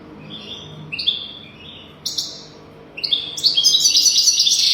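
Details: European goldfinch song for tutoring young goldfinches. Paired descending chirps come at about one-second spacing, then the bird breaks into a continuous, bright, rapidly jangling twitter.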